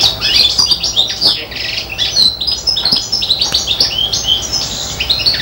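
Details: Five-month-old serin x bronze canary hybrid imitating goldfinch song: a dense, unbroken flow of high rapid twitters, buzzy chatters and tinkling trills.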